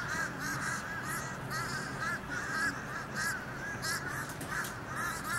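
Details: A flock of fish crows swarming a building in October keeps up a constant chorus of short, nasal, overlapping caws from many birds, with no clear pauses.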